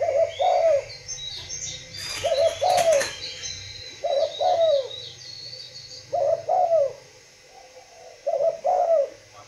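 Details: Spotted dove from a breeding facility repeating a coo phrase about every two seconds, each a short note then a longer falling coo, with a loud rattling clatter near the start and faint chirps.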